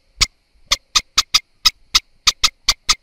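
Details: Eastern olivaceous warbler calling with hard, clipped ticks at uneven spacing, some in quick pairs, against near silence.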